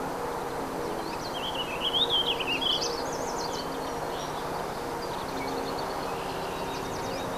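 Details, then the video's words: Warbling Vireo singing at Second Marsh, Oshawa: a rambling, run-on warble of high, wavering notes lasting about two seconds, then fainter snatches, over a steady rumble of distant traffic. "Warbling Vireo Sings out"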